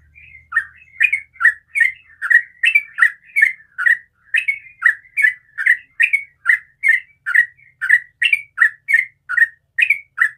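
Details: Morning ropel song of a sooty-headed bulbul: a long, unbroken run of brief, bright, slurred notes, each bending down then up, repeated roughly every half second with little variation. A faint low hum is heard at the start.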